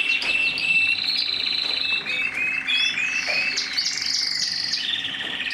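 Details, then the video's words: Mosaic canary delivering a continuous song of rolling trills, sliding whistles and short rising notes, rich and varied, with no other sounds. "تغريد الكناري موزايك مالتي"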